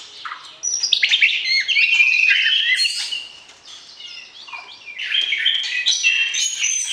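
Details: White-rumped shama song used to stir mating readiness before pairing for breeding. Rich, fast phrases of bright whistles sweep up and down, with scratchy, buzzy notes in between. The song is rapid and continuous, with a brief quieter stretch midway.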